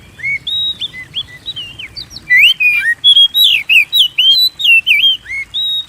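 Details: Oriental magpie-robin (kacer), a lively singer whose song serves as a lure to make other kept birds sing: varied clear whistled phrases, rising and falling slurs, quickening into rapid bright notes after two seconds.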